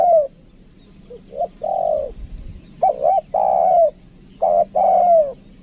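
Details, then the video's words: Captive spotted dove used as a decoy, a two-note "kuk dua" caller, gives soft, low coos: short notes running into a long, slightly falling coo, repeated three times over a faint hum. "PIKAT TEKUKUR KUK DUA"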